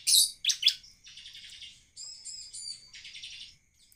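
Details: Bar-winged prinia in vigorous song: two loud sharp high chirps open, followed by a buzzy rattle, a clear double-toned whistled phrase and another dry buzzy trill.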